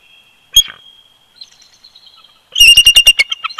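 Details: Bald eagles duetting in winter at their old snag nest, Big Bear Lake, California, live nest camera, February 2020: a single sharp squeal and faint thin whistles, then a loud rapid series of high piping chitters.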